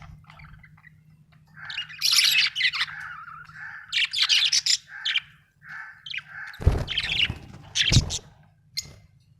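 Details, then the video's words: Budgies chattering in a busy warbling stream of chirps, squeaks and trills, with two sharp clicks or knocks near the end and a low hum throughout. "Australian budgies parrots l budgie chirping sound"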